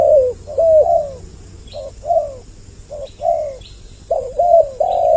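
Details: Double-voiced spotted dove lure recording: gentle coos in three short phrases with quiet gaps between them, and faint high chirps from other birds.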